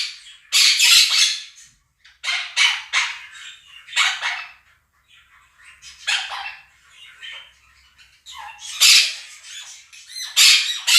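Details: Two Quaker parrots kept as pets, yelling over a budgerigar flock recording: loud, ragged, harsh screams in irregular bursts every second or two, with gaps between.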